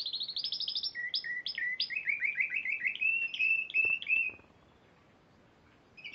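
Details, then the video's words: Spanish Timbrado canary that won at Piala Raja in March 2014 sings quick high trills flowing into a steady series of rolling, slightly rising notes, then falls silent before a brief final chirp. "Kenari Spanish Timbrado Juara Piala Raja Maret 2014"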